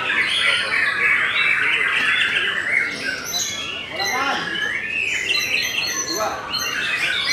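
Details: Loud scratchy squawks mixed with whistled phrases and rapid chirps from a Belanda white-rumped shama, delivered in quick repeated bursts.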